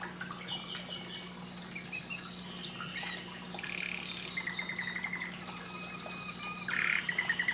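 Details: Canary song for stimulating breeding, somewhat distant: high drawn whistles, short trilled bursts and a sudden downward sweep near the end, over a low background hum.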